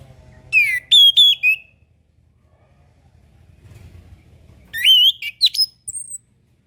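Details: Song of an orange-headed thrush, meant for training young birds and birds reluctant to sing. A rapid whistled phrase of sliding notes, a long silent gap with low hum, then another varied phrase ending in a high thin note.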